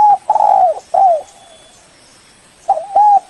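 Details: Spotted dove cooing as a lure to call a rival: a loud drawn-out coo and a falling note, a pause, then a new phrase beginning with quick coos and a sustained tone.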